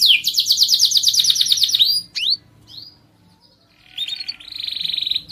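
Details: Canary song to encourage singing in other birds: a fast descending trill, a few short slurred notes, a near-silent pause, then a steady buzzy rolling phrase.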